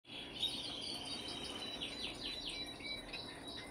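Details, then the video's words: Brambling calling: a rapid run of short, bright, downslurred chirps high in pitch, repeated many times a second with a steady background hiss. "Brambling (Fringilla montifringilla)"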